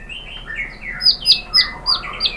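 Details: White-rumped shama lure song to prompt other shamas to answer: soft high chirps repeated about four times a second over faint background hiss.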